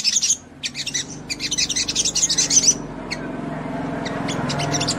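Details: Sogon giving rapid, high, sparkling chatter in three quick bursts, recorded to provoke other sogon birds into lively song; the song stops after three seconds, leaving a low, steady background hum.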